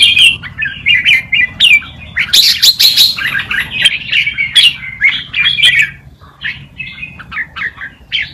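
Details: Wild Malutin-style tutor song of a red-whiskered bulbul, used to teach young birds: a string of quick liquid warbles and chirps in short bursts, with a louder, busier run in the middle.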